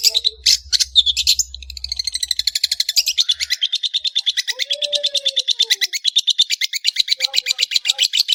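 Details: Long-tailed shrike (cendet) singing: a long, fast, steady stream of harsh, scratchy pulses, about three per second, with a faint lower note in the middle.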